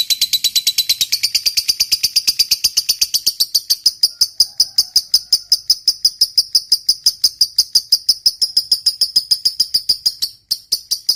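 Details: Long ngekek panjang chatter from a lovebird of the fighter type, used as a lure to get a silent lovebird singing. Shrill notes begin dense and buzzy, then settle into an unbroken rapid ticking series for over ten seconds.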